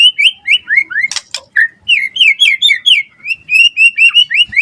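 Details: Murai batu singing to provoke a response in other shamas: fast series of high downslurred and upslurred whistles, repeated rhythmically, interrupted once by a brief harsh noise burst.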